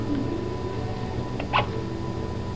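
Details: A pet Hahn's macaw imitates a sneeze with one short, sharp, breathy burst over a low indoor hum, and then a person says "bless you."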